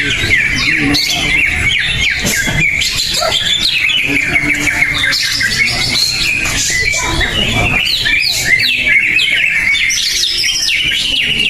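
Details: At a bird singing competition, a greater green leafbird that earlier won first place keeps up rapid, squawky, chattering notes mixed with high sliding whistles. Other contest birds overlap throughout.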